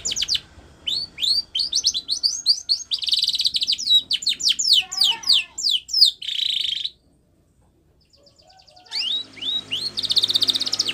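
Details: White Spanish Timbrado canary singing a training song: long run of falling chirps and buzzy trills, a low gurgling phrase, a two-second pause, then a faint trill building to buzzy notes.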